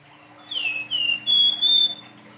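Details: Silver-eared mesia in full song in the nyuling style, three long clear whistles in a row, the first dipping and the last held steady and slightly higher, over a faint steady hum.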